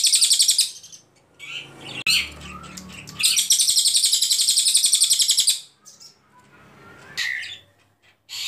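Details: Ashy Tailorbird (cililin) singing clearly in long bursts, recorded as a tutor for training other songbirds: short high rapid trills, then a sustained rattling trill of quick even pulses for over two seconds, with quieter notes between.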